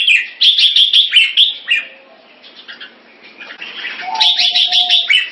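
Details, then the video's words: Caged red-whiskered bulbul, a competition bird in Singapore, opening with a fast string of loud bright chirps, falling quiet, then a second rapid burst of ringing whistled notes. "นกหัวจุก Jambul"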